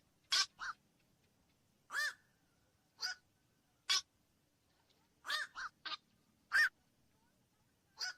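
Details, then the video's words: Scattered, abrupt quok calls of a black-crowned night heron, loud single croaks and short doubles separated by silent gaps of about a second. "SUARA BURUNG KOAK MALAM"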